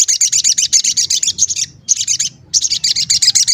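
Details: Gacor sogon lure with "cuit cuit" calls, meant to get other sogon calling and worked up. Fast, continuous strings of high, sharp chattering notes, about four a second, run on with one brief pause.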